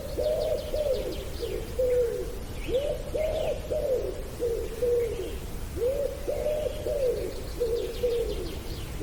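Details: A wood pigeon on farmland with sheep, cows, fields and hedges in the West Sussex countryside coos in soft, husky, low phrases, each of several rounded notes, repeated steadily; faint high chirps from small birds in the background.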